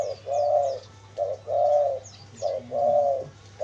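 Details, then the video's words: Spotted dove serving as a lure for wild doves: regular low coos, short note followed by a long sustained one, repeated three times with light bird chirps in the background. "burung Tekukur sangat cocok untuk pancingan tekukur liar"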